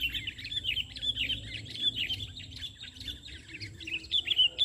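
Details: Energetic sooty-headed bulbul singing from the ground rather than a perch, recorded while trapping birds; an unbroken stream of fast, jumbled chirps and warbles, steady throughout, over low background noise.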